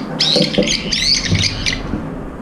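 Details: A flock of brown-eared bulbuls jostling over food, including one bird with an impaired left foot, keeps up a continuous harsh, high-pitched squealing chorus, dense and unbroken for about two seconds.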